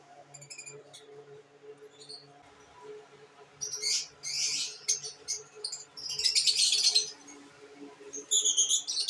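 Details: Pet lovebirds: a few thin, high chirps at first, then bursts of loud, shrill, raspy chattering with squeaky notes, broken by short pauses.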